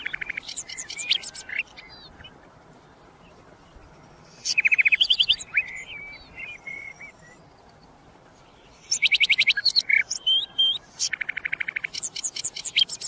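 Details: Common nightingale singing: bursts of rapid, repeated, sharp notes and brief whistles, high-pitched and clicking in quality, separated by short silences, with steady low background hiss throughout.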